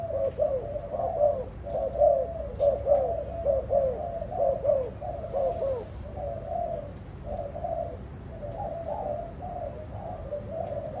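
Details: Spotted dove giving soft, low cooing notes in a steady run, roughly one per second, with several overlapping phrases and a faint low hum underneath.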